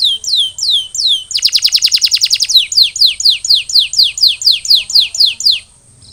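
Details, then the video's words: Canary in song after molting: a few downslurred notes, a rapid rattling roll, then a long steady run of descending whistled swoops before fading out. "Post-Molting Recovery: Get Your Canary Back to Gacor Faster!"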